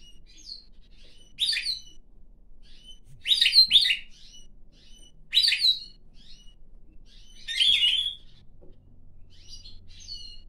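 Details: Pine grosbeak kept as a pet, singing on its owner's hand and then hopping onto his head: four loud, rich warbling phrases about two seconds apart, with softer high twitters between them in a quiet room.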